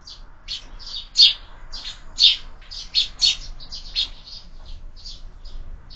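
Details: Sparrows at a window-mounted feeder during breakfast; loud bright chirps about once a second, some notes stronger and harsher, other birds chirping more softly between.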